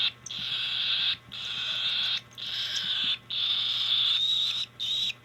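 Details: Hand-fed cockatiel begging while being fed, recorded in 2025: long, harsh, wheezing rasps lasting about a second each, five in a row with brief gaps, over a faint steady low hum.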